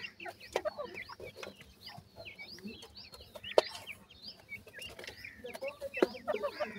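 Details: Francolin (teetar) chicks giving a dense stream of thin, high, upward- and downward-flicking peeps from several birds at once, with occasional loud clicks and knocks in the background.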